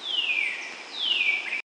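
A Northern cardinal gives two clear, loud whistles, each sliding steeply downward from high to middle pitch, over a faint background hiss.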